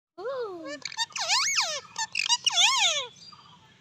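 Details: Indian ringneck parakeet talking: a loud run of harmonic, swooping vocal phrases that rise and fall in arches, broken by short sharp clicks, lasting about three seconds before trailing off.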